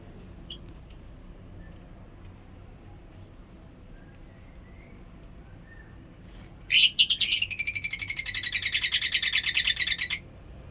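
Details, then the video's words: Lovebirds in a long stretch of quiet, then a sudden burst of rapid, shrill chattering calls, many harsh high notes tumbling quickly one after another for about three seconds before stopping abruptly. "love birds sounds"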